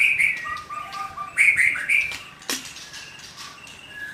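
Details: Young wild white-rumped shama in forest giving loud whistled phrases alternating high and low notes, with a sharp click and soft notes after.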